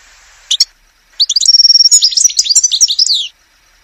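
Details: Goldfinch song in woodland. Two short, sharp notes, then after a pause a rapid, jangling twitter with a sustained buzzy trill woven through it, lasting about two seconds before stopping abruptly.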